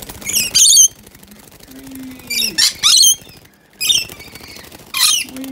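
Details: Two wild rescued baby rainbow lorikeets bathing in their drinking water inside a cage: loud, harsh, buzzy screeches in short bursts of about half a second, repeated irregularly, with quieter low splashing and rustling between them.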